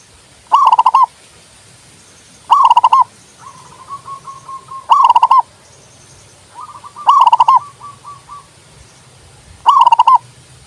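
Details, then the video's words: Zebra dove coo phrases, five loud pulsed bursts spaced about two seconds apart, interleaved with softer, quickly repeated coo notes from a second, quieter dove. "TERAPI PERKUTUT MOGOK BUNYI PALING TOP"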